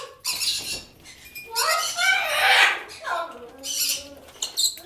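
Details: An indoor white-capped pionus attacks his toy with harsh, raspy squawks and chattering bursts in quick uneven runs, while a hyacinth macaw talks in the background, giving nasal, voice-like notes.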